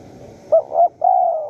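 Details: Close wild spotted dove at a Surat Thani, Thailand decoy site, giving two quick mellow coos then a long sustained coo that slowly drops in pitch.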